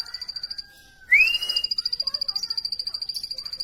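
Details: A long flat whistle opens, then a sharp rising note. After that a plain prinia keeps up a quick, metronomic series of high ticking, buzzy notes.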